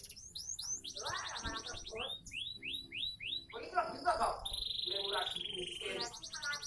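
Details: Canary aged seven months from a Sonji SF collection delivers varied song: fast trilled runs, a set of separate downward-slurred whistles, a sustained bright flat tone and a further quick trill.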